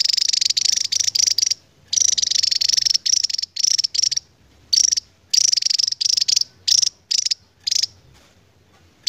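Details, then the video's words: Javan tesia, a Java endemic, giving very high, rapid buzzy trills in bursts lasting from a fraction of a second to over a second, separated by brief pauses. "BURUNG NGEBREN PANJANG .....GAK SESUAI POSTUR ..TAPI INILAH TESIA JAWA"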